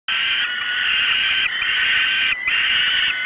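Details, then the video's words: Falcon chicks begging at a breakfast feeding at Great Spirit Bluff, 06:54 on 5 June 2016: a harsh, continuous, high screaming that breaks off briefly twice, then resumes at full strength. "Breakfast 3. Great Spirit Bluff Falcons"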